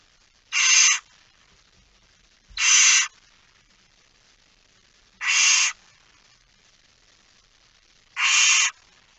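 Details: Night recording of a barn owl in a nest box, Fryslân, Netherlands, 13 September 2019, chick present: four short rasping hissing screeches at steady intervals of about two and a half seconds, otherwise quiet.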